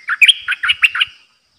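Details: Streak-eared bulbul, new caged decoy, giving pure 'dok' song on 6 May 2022. One fast phrase of six liquid chirps, bright and clipped, with soft low thumps underneath.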